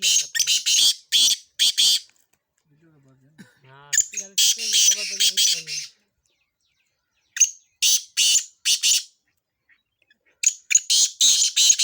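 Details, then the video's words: Sindh's black francolin, called kala tetar, in chakree training: bursts of rasping high notes repeated in phrases, with a low human voice speaking briefly in the middle between call series. "Kala tetar / training for chakree / chakree ki training / sindh / black francolin / चक्र की ट्रेनिंग"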